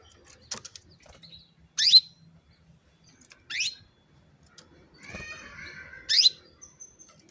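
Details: Female canary calling to stimulate males to sing: three loud, sharp upward-sweeping squeaks spaced about two seconds apart, with a soft twittering phrase and faint thin chips between them.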